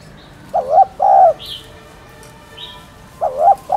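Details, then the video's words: Cooing of a spotted dove meant to trigger caged birds to coo: two low two-note phrases, a wavering short coo then a drawn-out one, with faint thin chirps from other birds between them. "Cu Gáy Thúc Chay Bổi Nghe Gáy Liền.... . Tiếng Cu Đất Gáy , Cu Cườm Gáy Kích Bổi"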